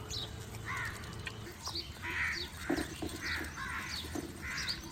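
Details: Several hoarse caws from crows calling one another, moderately distant and fairly evenly spaced. They sit over a busy background of low rumble, clicks and faint chirping.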